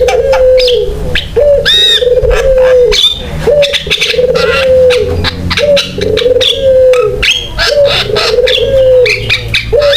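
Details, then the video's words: Javan myna in full song, used to draw other mynas into singing. Long low level tones recur roughly every two seconds, laced with crisp clicks and brief bright whistles. "JALAK KEBO GACOR BUAT PANCINGAN DAN MASTERAN JALAK LAIN SUPAYA IKUT BUNYI"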